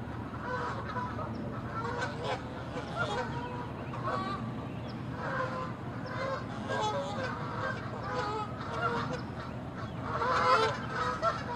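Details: Canada geese in a territorial fight, chasing and attacking on water and land; a steady chorus of loud, brassy honks from several birds, repeated roughly every half second, with a louder burst of calls near the end.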